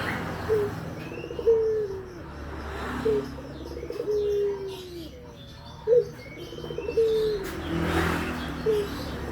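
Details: Coos of a Barbary dove used as a calling lure for other doves. Each phrase has a brief sharp opening note, then a drawn-out low hum, repeated roughly every three seconds. Light chirping of other birds is heard in the background.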